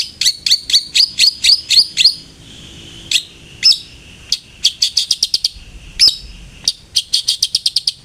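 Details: Long-tailed shrike lure to encourage frequent singing: bright, rapid chirped trills of high, whistled notes in quick bursts, broken by short pauses and single sharp notes.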